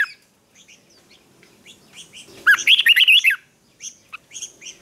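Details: Red-whiskered bulbul singing its fighting song for morning training; soft scattered chips lead into one loud second-long phrase of quick, wavering whistled notes, then more light chirps.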